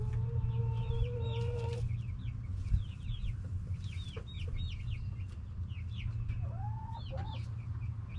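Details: Backyard chickens, hens and roosters together: a steady sustained tonal call held nearly two seconds, then scattered high chirps and a short rising call, with low rumbling background noise.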